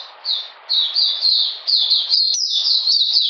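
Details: Oriental magpie-robin recorded 13 June 2020 during cold, rainy weather: a few spaced high whistled slurs build into a quick, continuous chain of sharp, bright notes.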